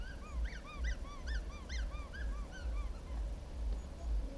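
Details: Common house martins at a breeding colony on a shop building: a rapid series of short, bright, slurred chirps with rising and falling inflections, several overlapping, about three per second, over a steady low rumble.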